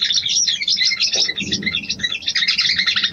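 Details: Female sooty-headed bulbul calling a male, played as a mating lure, with busy overlapping high chirps and twitters forming an unbroken, fast-paced chatter, and a brief low thump midway.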